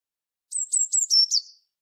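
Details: Eurasian blue tit song phrase: four or five thin, very high whistled notes in quick succession, each slightly falling, the last ones lower and trailing off, in silence.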